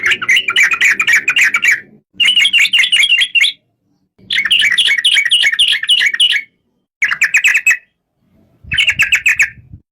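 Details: Yellow-vented bulbul, known locally as trucuk, singing in bursts of rapid chirpy, bubbly notes around mid-high pitch, each burst lasting one to two seconds with short pauses between; a low rumble sits under some phrases.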